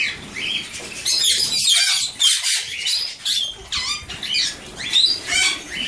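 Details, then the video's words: Alexandrine parakeet chicks producing a rapid string of scratchy, buzzy squawks, irregular and overlapping, about two per second, harsh and high, recorded at close range indoors. "Pui Marele Alexandru"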